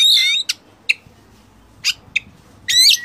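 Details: Caged-bird tutor recording of Oriental magpie-robin song packed with imitated filler phrases: loud, rich warbled phrase, then sharp isolated high chips and short bursts, ending in another dense whistled flourish.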